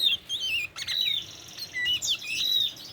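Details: Oriental magpie-robin, a tame bird, delivering loud sustained whistles that slide up and down, broken by a brief rasping burst near the start.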